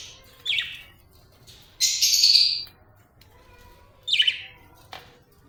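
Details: Budgerigar giving happy chirps: separate short bright notes spaced through the clip, including one longer, harsh, squawky chattering phrase near the middle, in an otherwise quiet setting.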